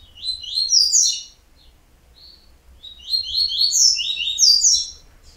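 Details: Yellow-bellied seedeater (coleiro baiano) singing two fast, high twittering phrases of short buzzy, slurred notes descending in stepwise clusters, separated by a quiet pause of about two seconds.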